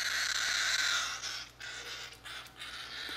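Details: Baby cockatiel begging for its baby food: a harsh, raspy, continuous rasping screech, broken into longer bursts with brief dips, loud and insistent.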